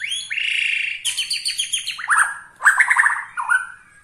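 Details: White-rumped shama in Bornean style, singing to provoke rivals: a sustained buzzy note, then a quick run of rippling descending notes and a few bright whistled accents.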